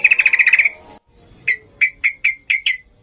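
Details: Yellow-vented bulbul in 'ngalas' singing style for training young birds: a rapid buzzy trill, then six evenly spaced sharp whistled chips.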